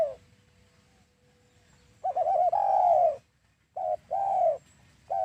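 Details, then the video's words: Spotted dove, recorded as a trapping lure: after a faint steady tone, a burst of short stuttered coos flows into a long falling coo, then another double note and drawn-out coo. "SUARA PIKAT DERKUKU /TEKUKUR"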